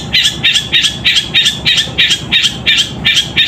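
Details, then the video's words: Long-tailed shrike in fighting song imitating the sooty-headed bulbul; a loud, very regular series of short buzzy chirps, about three per second, each with a bright whistled core. "Cendet suara gereja tarung gacor"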